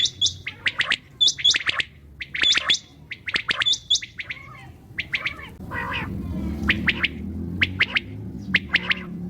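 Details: Common quail calling at night: rapid triplets of sharp clicky notes with high thin squeaks, repeated in quick succession, then a rough burst and sparser phrases over rising low background noise.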